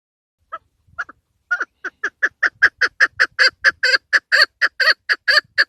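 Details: A female chukar partridge lure call for hunting starts with a few hesitant notes, then builds into a louder, steady sequence of harsh clucks about twice a second. Faint low rustling sounds underneath.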